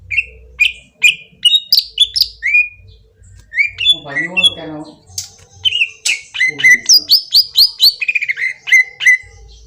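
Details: Lure recording of a green leafbird: a rapid stream of loud whistled and chirping notes, varied slurs, with a brief harsh nasal phrase in the middle and a downward run of notes near the end.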